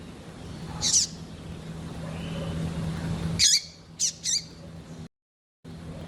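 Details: Calls of a female double-collared seedeater used to warm up males: loud sharp chips, one alone then a quick group of three, against low hum with a brief gap of silence.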